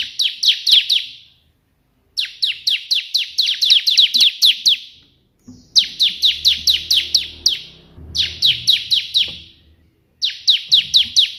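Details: Bar-winged prinia, locally ciblek, in full tembakan perenjak putih style song: four quick bursts of eight to ten bright, down-slurred chips each, divided by short pauses, with faint low rumbling in the background.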